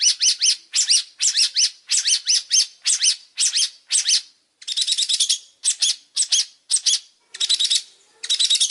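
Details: Long-tailed shrike singing vigorously: bursts of fast, high scratchy notes grouped in short phrases of three or four, separated by brief gaps, with a few harsher buzzy bursts later, nothing else audible.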